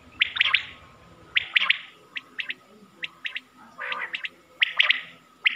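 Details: A quail hunting call recorded in Mianwali, Pakistan: quick, bright three-note bursts alternate with single sharp notes and a few soft rasping sounds, against a low background hum.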